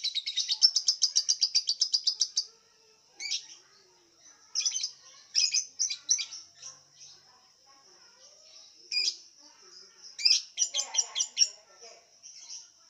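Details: Lovebird in an online singing contest in Singkawang, West Kalimantan, kept on white millet: rapid high trilled chatter, a fast buzzy burst at the start, then clipped squeaky notes and short rattling runs.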